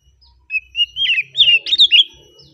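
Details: Oriental magpie-robin in relaxed song, delivering a rapid run of bright, sweet whistled notes, sliding up and down and tumbling together in a lively phrase of about two seconds.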